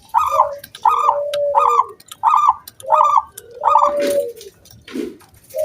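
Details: Local zebra dove singing to coax other doves into singing. A steady series of six bubbling coo phrases, each with a lower trailing note, comes about once a second, followed by a soft thump and low coos.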